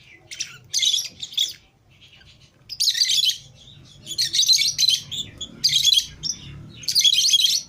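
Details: Several pet lovebirds, green Fischer's and lutino pairs freed from the cage together in a small room, chirp in dense shrill high bursts, repeated in clusters of squeaky notes with brief pauses between.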